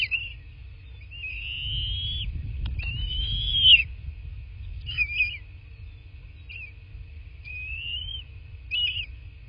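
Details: Bald eagle on a nest in southwest Florida, nest camera, 03/08/2024 at 11:00; a series of high piping whistles, two longer arched ones followed by short clipped chirps every second or two, with low rumbling noise.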